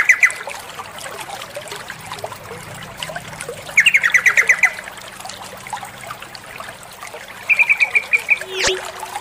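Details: Female sooty-headed bulbul calling the male, giving three separate bursts of fast, bright chattering notes spaced a few seconds apart over a constant background of trickling water.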